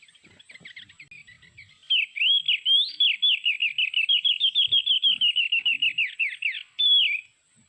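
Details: Mountain white-eye from Sulawesi, recording played from MP3 as a lure for trapping birds with birdlime. Faint scattered twitters lead into a dense, rapid run of high chattering notes, quick rising-falling slurs repeated for about five seconds, ending with one longer slurred note.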